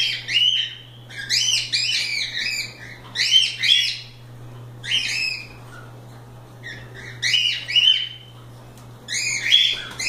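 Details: Playful free-roaming cockatiels chirp busily in repeated arched, rising-and-falling whistled notes, often in pairs, in bursts about every second or two for ten seconds, above a low continuous hum.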